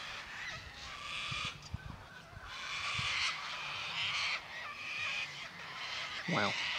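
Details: Large flock of sulphur-crested cockatoos in a paddock in Victoria, Australia, giving harsh, raspy screeches that overlap in long bursts, with low thumps early on and a brief low rising tone near the end.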